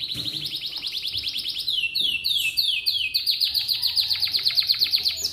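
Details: Atlantic canary in full morning song, meant to get other canaries singing: high rapid trills, then a run of repeated downward-slurred whistles, then fast pulsed trills rising in loudness toward the end.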